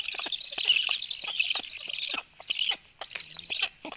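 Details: Black woodpecker at 13:06 while the female brings a lot of food: harsh, buzzy, rasping bursts of calls in a dense, almost continuous series, broken by brief gaps near the end.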